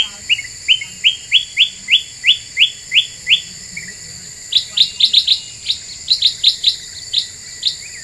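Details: Very vocal black-capped bulbul used as a lure to provoke other birds: a steady run of about eleven upslurred whistles, a short pause, then faster, higher doubled notes in clusters, over a persistent high whine.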